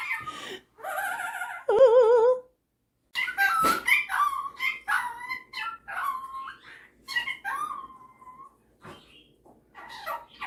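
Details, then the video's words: Male pet superb parrot showing off mimicry indoors: wavering vibrato whistles, a sharp snap, then a rapid jumble of chirps, clicks and short slurred tones with brief pauses. "Superb Parrot Malibu showing off his singing and mimicking skills"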